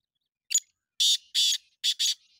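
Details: Black francolin calling: a short, sharp opening note, then four harsh, grating, buzzy notes in two closely spaced pairs, loud and clear against silence.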